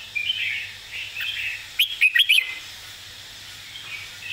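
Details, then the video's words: Model song of a red-whiskered bulbul, played for teaching birds: a quick cluster of sharp whistled chirps near the middle, framed by faint warbling notes and a soft background hum. "สำนวนเพลงแม่บท ร้องง่ายๆ (ไว้เปิดสอนนก)"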